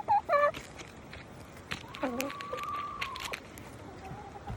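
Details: Chickens clucking, with quick loud notes at the start, then a long level whine held for over a second alongside lower clucks and scattered clicks.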